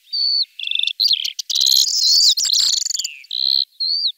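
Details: Common starling mixing level whistled notes with a harsh, buzzy rattling middle section full of clicks, then returning to clear steady whistles and a short falling slur.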